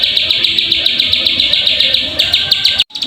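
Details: Plain prinia call as a lure for singing: high, rasping chirps repeated quickly and somewhat unevenly, ending in a brief gap followed by a few more chirps.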